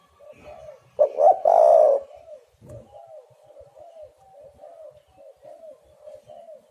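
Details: Spotted dove calling to lure birds into a trap. One loud phrase of short notes and a long coo, followed by a steady run of about nine soft, slightly falling coos.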